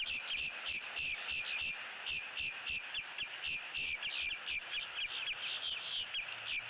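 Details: Eagle on a Southwest Florida nest cam, recorded October 6, 2017, while nest building and bonding; a continuous run of rapid, high piping notes, several per second, carries through over constant hiss.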